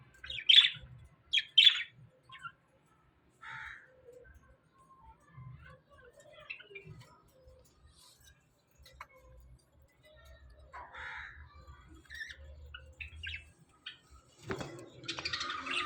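Budgerigars chirp in a small colony with sharp, scratchy squawks and warbling notes.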